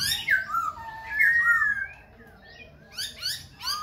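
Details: Khe Sanh laughingthrush singing and dancing with continual voice switching: long loud descending whistles, a quiet gap, then several short harsh squawk notes.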